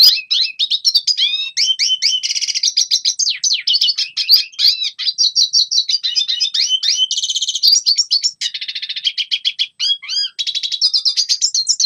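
A red siskin sings a long, unbroken, high twittering song of rapid chirps, buzzy trills and quick rising and falling notes. No other sounds are heard.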